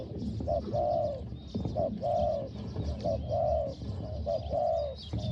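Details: Spotted dove used to lure wild doves in Thailand, small-voiced, repeating a short note plus long rounded coo about once a second, over steady rustling and low background noise.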